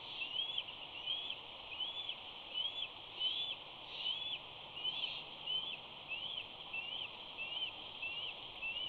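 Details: Young bald eagle mantling at its nest as a parent flies in with prey, giving a steady series of thin, high, squealing screes, roughly one every half second to second, each a short rising-falling whistle, over a constant hiss.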